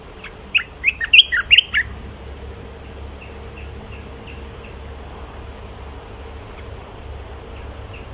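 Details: Short loud burst of fluty, tumbling whistles from a caged red-whiskered bulbul, then faint, distant chirps repeated over a steady low drone.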